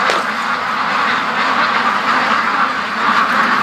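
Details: Many free-range ducks on their everyday rush to the lake and back home, from a flock of 650+; thick, unbroken chorus of harsh overlapping quacks, a few louder individual calls standing out near the start.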